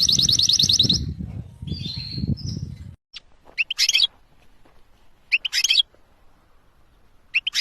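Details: A canary sings on 11 January 2024, opening with quick rolling trills over low background noise, then giving a few scattered short bursts of chirps separated by pauses.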